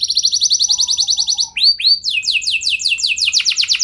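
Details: Gacor canary song used as a lure to make other canaries respond: rapid trills of repeated high notes, a fast buzzy run at first, then a pause, two rising swoops, and broader descending slurred notes repeated about four per second.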